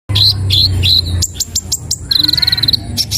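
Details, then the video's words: Kolibri ninja sunbird singing: high, sharp chirps in quick bursts, then a rapid run of bright ticking notes, with a steady low hum underneath. "kolibri ninja||konin isian"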